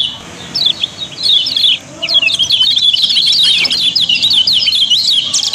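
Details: Yellow-bellied prinia, a caged Lombok songbird used to stir other birds to sing, starting with a few scattered high chirps, then breaking into a fast, rising and falling torrent of squeaky notes.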